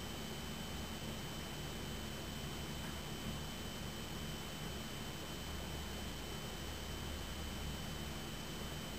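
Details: Steady broadband hiss with a low engine-like hum and faint constant tones throughout, no animal voice heard.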